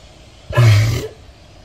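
A cassowary gives a single deep, rumbling boom lasting about half a second, so low it is felt more than heard, over a quiet background.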